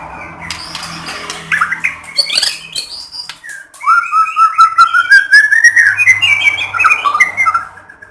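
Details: A white-rumped shama sings to coax other shamas into song, starting with scratchy notes, then a long flowing string of clear whistles that climb steadily and end in varied warbles over a faint hum.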